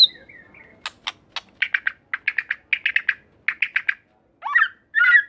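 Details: Song of a white-rumped shama, used to make rival shamas respond. Sharp clicks lead into quick bursts of chattering notes in small groups. The phrase ends with two louder, harsher notes.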